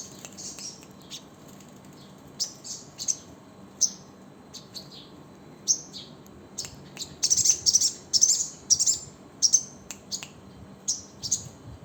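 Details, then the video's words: Crimson sunbird (sogon) singing trotol style: sharp, high-pitched chips and twitters in scattered bursts, thickening into a fast rattling flurry midway before spacing out again. "sogon trotol"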